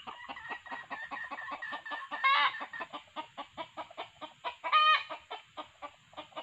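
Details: Red junglefowl calls used to lure wild junglefowl, a decoy male together with female voice: a steady train of short clucking notes about four per second, broken by two loud harsh crowing bursts near the middle and later.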